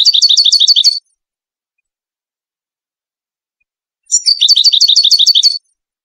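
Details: Moroccan European goldfinch singing in the Widani style, a recording used to teach chicks their song: two bursts of rapid, high, tinkling twitter notes, each about one to one and a half seconds long, separated by three seconds of silence.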